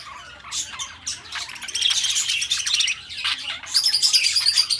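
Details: Two pet budgies start with soft scattered chirps, building into fast rasping chatter and a thin sustained whistled tone toward the end.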